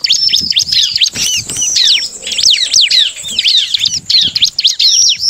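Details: Bar-winged prinia song played to provoke rivals to sing: almost unbroken chatter of high, steeply falling notes delivered rapidly, intense and dense throughout.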